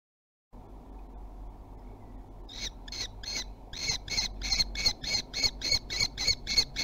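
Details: Common kestrels of a family followed at Théding, France, on 3 July 2020, during a pursuit of food: after a low rumbling background, sharp high squealing notes begin and repeat rapidly, about three to four per second, growing louder.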